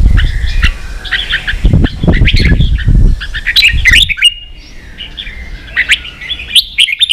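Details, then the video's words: Red-whiskered bulbul ché-style song for training young birds: whistled, warbled phrases and sharp chirps, partly masked by heavy low thumping noise during the first half, clearer afterwards. "luyện chào mào ché.kích chào nào hót ché căng lửa.kich chao mao boi hot เสียงฝึกลูกนก | นกปรอดหัวโขน"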